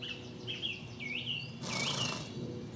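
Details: A song thrush sings brief, clear whistled phrases with a note repeated, high and bright, in the Surrey Hills near Haslemere, England, on 26 March 2018. Wind-like rushing joins midway, with suburban traffic noise around and goldcrests close by.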